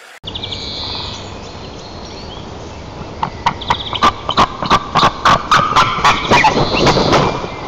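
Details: A white-tailed eagle at its nest in Nizhnyaya Kama National Park, Tatarstan, on 5 April 2024 gives soft high calls, then a quick run of loud, yelping, laughing notes, about four a second, as its mate arrives with a branch, not fish.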